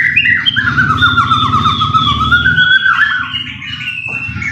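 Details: Lure recording of white-rumped shama song meant to provoke a bird into singing: long, sliding whistled notes with fast rattling flourishes, about four phrases each second, with a constant low hum beneath.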